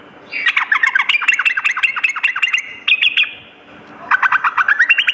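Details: Sooty-headed bulbul at night, played as therapy to build a kept bird's fighting spirit: dense bursts of rapid chattering, bubbly notes with sharp high clicks, a pause, then a rising run of quick repeated notes.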